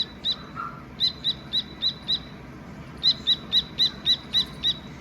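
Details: A Dakni teetar partridge chick gives two runs of bright, evenly spaced high chirps, five then eight notes, preceded by a single lower, softer note; steady faint background noise.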